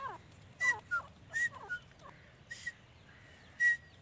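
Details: Grey francolin (dakhni teetar) calling with short whistled notes, some sliding downward and others flat and high, given in an irregular series over low background hum.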